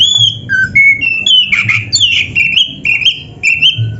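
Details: Oriental magpie-robin (kacer) training song for caged birds, full of varied fill notes: a run of clear whistled phrases, some rising, some slurred, and others wavering, in quick succession.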